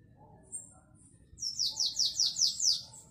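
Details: Canary in the Belgian classic song style, 2021: a faint high note, then a rhythmic train of about seven bright descending notes, delivered roughly five per second.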